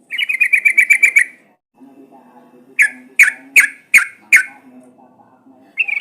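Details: Sooty-headed bulbul sound played as a lure to get birds singing: a rapid run of about ten bright notes, then five sharp separate calls at roughly half-second gaps, and a new burst starting.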